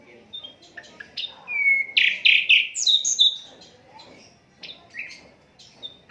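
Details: Asian brown flycatcher in an unedited tutor recording for songbirds: scattered chips, then a loud jumbled burst of buzzy, rising and falling notes, trailing into softer scattered calls.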